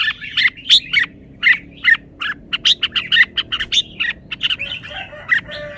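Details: Caged red-whiskered bulbul showing off its song phrasing. Bright, whistled notes come in short, separate bursts, several per second, with a few warbled slurs and quick pauses between phrases. No other clear sounds.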